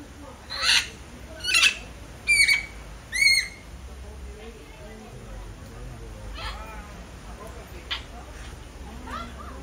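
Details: Red-fronted macaw giving four loud, harsh, grating squawks about a second apart, followed by fainter distant calls over steady background hiss.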